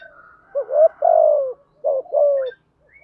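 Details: Spotted dove, male and female calls used for training and luring doves: two low cooing phrases, each a short rising note followed by a longer falling coo, with a pause between them.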